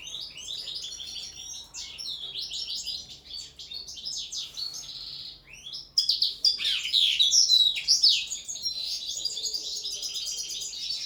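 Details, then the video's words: Common linnet in training for table singing, kept in a cage, delivering a continuous high twittering song of rapid chirps and trills that grows louder and richer about halfway through. "ANIFLA pesma na sto, carduelis cannabina"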